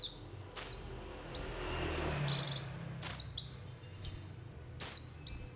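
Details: Calls of a white-eye used for bird trapping: loud, piercing chirps sliding downward in pitch, repeated at uneven intervals of one to two seconds, with a soft hiss and faint insect-like buzz between them.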